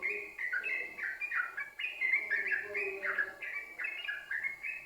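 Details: Loud yellow-vented bulbul singing energetically in an unbroken chained style, used as a lure to make other bulbuls sing: dense, chattering stream of bright overlapping chirps and warbles.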